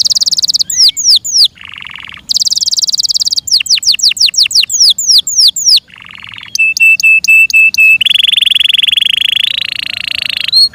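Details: Varied song of a kept Yorkshire canary: bright high trills, descending whistled slurs, low buzzy rattles, a stuttering series of clipped notes and a long sustained rolling trill that rises slightly.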